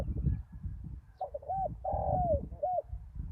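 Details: Spotted dove used as a decoy on bare ground after a storm: one cooing phrase, a short coo, a hooked coo, then a long drawn note sliding down, ending with another hooked coo, over low rumbling background noise.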